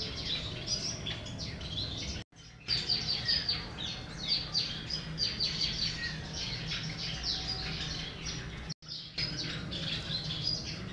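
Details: Captive male Gouldian finches, breeder birds, chatter steadily in high, thin chirps and buzzy notes, several overlapping, over a low background hum broken by two brief silences.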